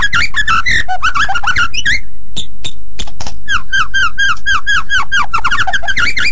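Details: White-rumped shama (murai batu) song, a very lively 'super gacor' master song used to teach other birds. Rich, loud whistled phrases and trills follow in rapid succession, with a short pause and clicking sounds midway, over a low background hum.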